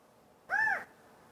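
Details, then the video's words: California quail giving a mating call: one loud, clear arched note lasting about a third of a second, rising then falling, with strong harmonics over a quiet background. "California quail call & sound!"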